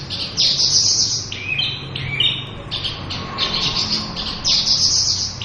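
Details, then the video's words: Local Javan bush lark, a sought-after songbird said to be nearly gone from the wild, giving a busy high song of bright chirps, brief buzzy bursts and falling slurred notes over a low hum. "Suara Burung Branjangan Lokal gacor full isiaan."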